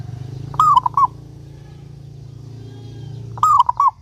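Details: Local zebra dove cooing to coax other doves into song. Two phrases, a sliding first note then two or three quick soft coos, nearly three seconds apart, steady low hum throughout.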